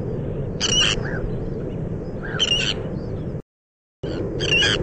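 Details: On Texel's bird island, a Sandwich tern breeding colony gives rough, grating calls about every one and a half seconds, with quieter calls behind, heavy wind rumble and a short silent break.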